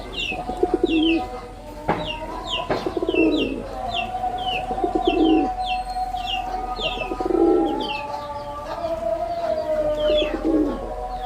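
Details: Male red-bordered wild pigeon performing, repeating deep bubbling coos about every two seconds over the clip, accompanied throughout by rapid high-pitched chirping from other small birds and a low steady tone.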